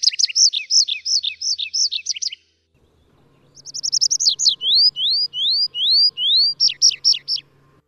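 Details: Atlantic canary in song: a rapid, jerky trill of repeated sliding notes, a brief silence, then quickening buzzy notes that turn into pure upward-swooping whistles, ending in another fast trill; faint low hum in the background.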